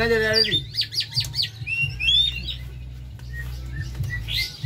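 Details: Captive Oriental magpie-robin used to provoke singing: a low tonal sound opens, then quick descending whistles and chirps follow, with a steady hum throughout.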